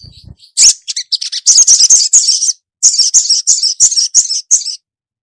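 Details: Female ruby-cheeked sunbird calling the male: a quick, lively sequence of high, clipped chirps in two bursts, roughly five notes a second.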